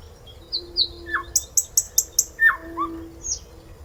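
A flycatcher sings a varied phrase: high whistles, falling slurred notes and a quick run of six sharp, very high chips, over a faint steady background hum.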